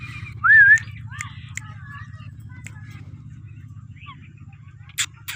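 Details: A blue Indian ringneck parakeet gives one loud, clear whistle that rises and wavers, then a few faint, scattered chirps and clicks over a steady low hum.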